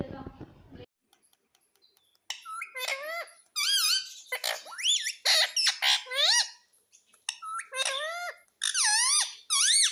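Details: Talking pet ringneck parrot repeating "mummy" and "papa"; loud, squeaky, nasal syllables bending up and down in pitch, delivered in quick bursts separated by short pauses, after a brief low rumble at the start.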